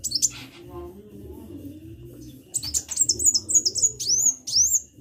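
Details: Sunbird in gacor song: quiet opening with a few high chips, then a lively series of high slurred whistles and a run of repeated rising-falling notes; faint low hum throughout.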